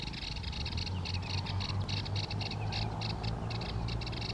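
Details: Song of a Yellow-eyed babbler in India: dense runs of clipped, high chirping notes in close clusters, almost continuous, with a constant low droning hum underneath.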